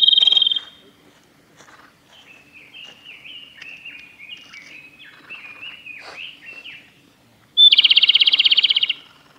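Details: Song of a male Japanese robin recorded at Yanagisawa Pass on 25 April 2021: the tail of a high trill, then a quieter warbling twitter from another bird, then a fresh loud, fast, rattling trill near the end.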